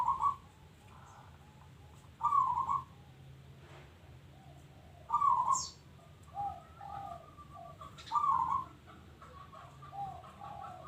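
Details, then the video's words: Local zebra dove in active song, giving short burbling coo phrases every three seconds or so, each followed by softer trailing notes, over a low background hum. "Bunyi Perkutut Lokal"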